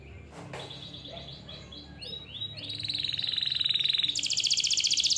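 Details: Canary song played to coax young or quiet canaries into singing; soft short notes build into a loud, steady, rapid rolling trill that jumps higher near the end.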